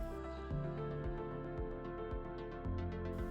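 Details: Instrumental music with steady low beats and sustained tones plays throughout; no animal sound is heard.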